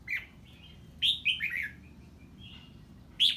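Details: Stirred by an unfamiliar bird, a red-whiskered bulbul sings ché: a lone note, then a jaunty run of three or four dropping whistles, a faint thin tone, and another loud note to close.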